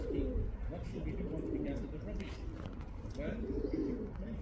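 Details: Male pigeon calling a female with deep throaty coos, one short phrase near the start and a longer rolling phrase near the end, with human speech and faint clicks in the background.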